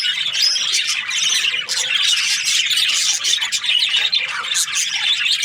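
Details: Budgies in breeding pairs call over one another in bursts of loud, grating squawks mixed with fast twittering, with slight rises and falls in loudness.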